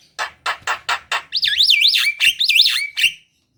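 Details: Javan myna in full song, used to lure lazy kept birds into singing: five harsh chattering notes followed by a loud, wavering, warbled whistle that swings up and down, mixed with scratchy notes.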